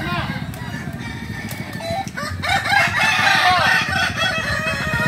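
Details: Kukuak balenggek roosters crowing at a training competition: after two seconds of low rumbling noise, several long, wavering, multi-part crows overlap, rising and falling in stepped arcs, with clucking and faint voices underneath.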